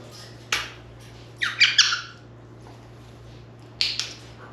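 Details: Pet African grey parrot in its cage during a practice session gives short harsh squawks: a single burst, then a rapid cluster of two or three, then another burst after a pause. A steady low electrical hum fills the small indoor room.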